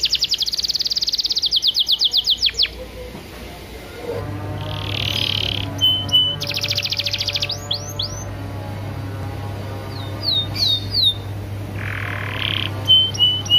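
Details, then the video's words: Canary song used as a training recording to get other canaries singing: fast trills of repeated high notes, buzzy bursts and short chirps in separate phrases, over a steady low hum and background noise. "PANCINGAN KENARI BAHAN ATAU OMBOYOKAN PALING AMPUH"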